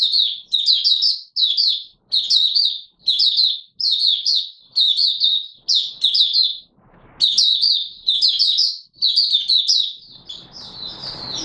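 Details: Oriental white-eye, 24 March 2022, singing a long series of brisk high twittering phrases, about a dozen short bursts in quick succession with brief gaps, ending over a soft rustle.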